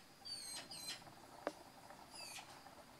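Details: A Eurasian magpie nestling begging while waiting for a parent to feed it gives thin, high squeals that slide downward in short bursts, with a pause between them and a single sharp click.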